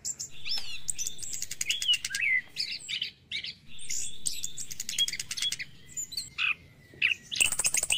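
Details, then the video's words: Orange-headed thrush in morning song meant to stimulate caged birds: varied whistled slurs, rising and falling notes and buzzy trills, continuous and rich, with some scratchy chatter and low background hum. "PANCINGAN ANIS KEMBANG DI PAGI HARI"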